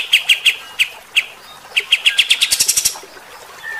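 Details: A kapas tembak bulbul sings harsh 'tembakan' notes to provoke fighter-type birds: a few spaced loud chips, then a quickening series ending in high buzzy notes and quiet.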